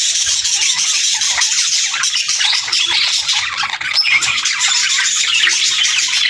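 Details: Budgerigar pairs chattering to each other: a dense, continuous stream of high, scratchy warbles and rapid chirps with no pauses, several birds overlapping throughout.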